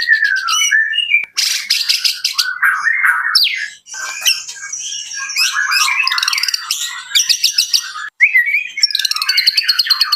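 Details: White-rumped shama singing a rich, varied medley of slurred whistles, harsh squawky notes and fast trills, broken by brief pauses.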